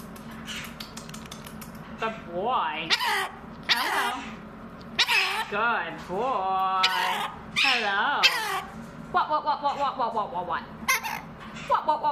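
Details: A pet mitred conure talking indoors: a long run of voice-like, wavering harmonic phrases and squawks, with bursts of chatter and rapid repeated notes near the end.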